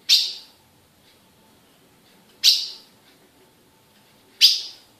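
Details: Female ultramarine grosbeak, captive-bred in Brazil, calling with three strong, piercing chip notes about two seconds apart in an otherwise quiet setting.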